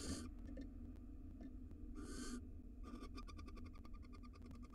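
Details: Wild barn owls in a nest box in Israel as the male feeds the female after her fourth egg; two short hissing screeches followed by a burst of rapid clicking, ticking sounds, over a low background hum.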